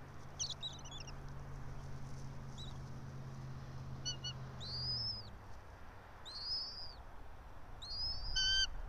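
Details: At a bald eagle nest high in a pine tree in Johnson City, Tennessee, early morning 04.03.2024: a series of high, squealing, downslurred whistled calls spaced every second or two, some with a raspy harmonic edge, over low hum.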